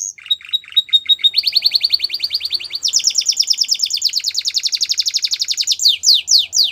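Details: Belgian canary singing for training young canaries, a continuous chain of tours: thin high notes, then fast even trills that shift to a denser rolling trill, ending with loud descending swept whistles.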